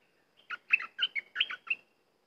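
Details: Cream-vented bulbul giving a one-and-a-half-second phrase of about eight bright, liquid notes that alternate high and low, ending in a short rising whistle.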